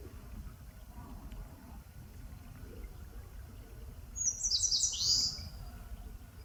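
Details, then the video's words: Eastern crowned warbler singing in a forest on the slopes of Palbongsan, Seosan, South Korea: a single quick, high song phrase of thin notes dropping into a buzzy ending, over a low background rumble. "산솔새가 노래하는 숲! Eastern Crowned Warbler sings!"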